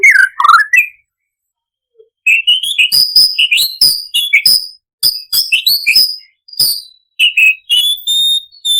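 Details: An imported white-rumped shama in full song, its repertoire rich with cucak cungkok imitations, used as a lure to get other shamas singing: loud rising whistles and sharp chattering phrases separated by abrupt silent gaps.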